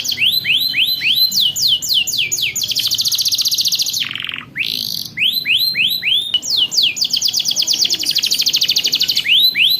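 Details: Canary singing a long, continuous training song meant to teach young canaries: rapid repeated downward-sweeping high whistles, fast trilled rolls held for seconds, a brief lower buzzy note near the middle, then more sweeping trills.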